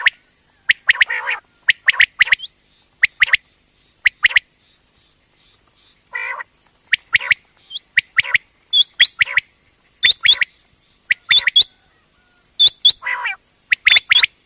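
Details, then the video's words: Female common quail calling, batair sound for hunting and trapping: long run of sharp dry chips in pairs, later mixed with short rising whistled notes, loose rhythm with brief gaps, steady faint high hum throughout. "common quail hunting sound//batair ki awaz"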